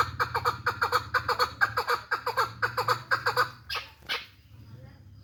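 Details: Hand-tame hybrid chukar partridge repeating rapid, throaty chuk-chuk notes in pairs for about three and a half seconds, then a couple of loud harsh bursts, over a steady low mechanical hum.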